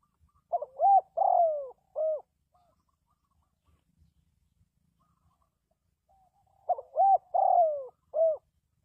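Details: Spotted dove calling to lure wild doves for trapping: a low cooing phrase of several notes, a short coo then long rolling ones, given twice with a pause of several seconds between.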